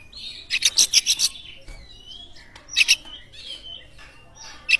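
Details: Oriental magpie-robin song used as a lure to set other birds singing: bursts of harsh buzzy chattering notes alternating with sustained high whistles, two loud bursts separated by quieter whistled phrases, faint background rustle.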